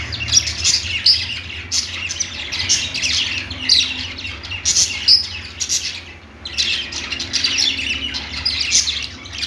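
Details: Pet budgerigars, an Australian parrot, singing on a perch; dense overlapping warbled chirps and chatter in bursts of one to two seconds, with a brief lull near the six-second mark and a faint low hum beneath.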